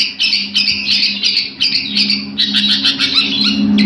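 Long-tailed shrike singing a fast, harsh stream of scratchy, chattering notes with brief gaps, over a steady low electrical hum.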